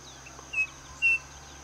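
Striped cuckoo giving two clear, pure whistles half a second apart, the second slightly higher and longer, over a faint steady background hum.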